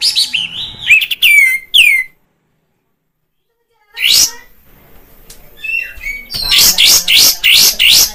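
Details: Bulbul lure for caged birds: fast mixed whistles and chatter, a silent gap, one rising sweep, then a rapid run of repeated rasping notes.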